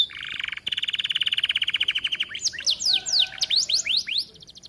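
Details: Canary singing vigorously as a training model: a long, evenly pulsed buzzy trill lasting two seconds, followed by bright swooping whistled sweeps.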